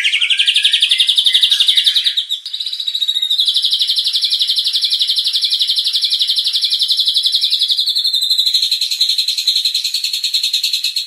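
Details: White-rumped shama provoking sound for training contest birds, a continuous rapid buzzy trill lasting over ten seconds with a brief break and shifts in pitch.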